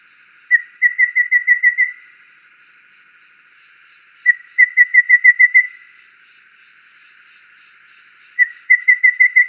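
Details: A wild Golden Babbler (Cyanoderma chrysaeum) in nature gives three bursts of about eight quick, even, mid-pitched piping notes each, separated by pauses of two to three seconds; a faint steady hum underneath.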